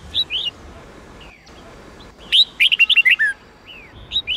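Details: Sông Kôn red-whiskered bulbul giving 8-9-10 note song for voice training: opening chirp pairs, a soft slurred note, then a loud quick run of about eight whistled notes, and more chirps at the close.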